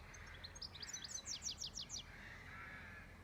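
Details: A bird singing on a farm: a fast, accelerating series of bright downslurred high notes, about a dozen in quick succession, ending abruptly, with a soft hiss behind.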